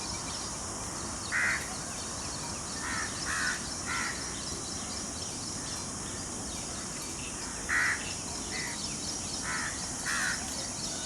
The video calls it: sound of Peacock